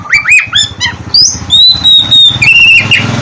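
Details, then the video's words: Oriental magpie-robin song for luring lazy birds into morning song: arched whistled notes followed by long, level high whistles, over a steady low mechanical hum. "KACER GACOR cocok buat pancingan kacer malas bunyi dipagi hari"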